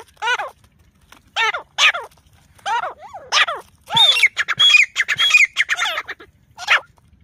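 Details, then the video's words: Francolin (teetar) calling: a series of harsh, squawky notes with downward-arching harmonic sweeps, repeated about once or twice a second, then a denser burst of overlapping rasping notes before a final single call. "Teetar ki Awaz"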